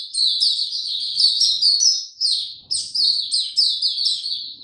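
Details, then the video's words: A Hercules white-eye, given no health supplements, sings on 29 April 2022: a fast, continuous, high-pitched twittering warble of thin, sweet notes, running almost unbroken for several seconds with a brief pause midway. "Mata Puteh Hercules buka sing"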